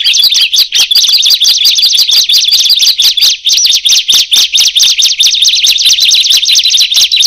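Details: Bar-winged prinia, first taken for an ordinary bird, calling until others join in: a loud, fast, unbroken stream of sharp high chirps with overlapping voices, a clipped, slightly rolling rhythm, and no other clear sounds.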